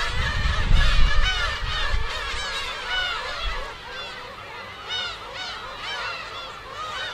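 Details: Black-tailed gulls at their breeding colony on Kabushima island, Hachinohe, Aomori, Japan, 2 June 2010, where tens of thousands nest: a dense chorus of overlapping nasal, mewing cries rising and falling, with gusts of wind rumble early on.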